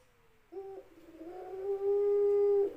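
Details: Ringneck dove giving a single coo: a short low opening note, then a long, steady, hollow tone that swells in loudness and holds for about two seconds before stopping abruptly.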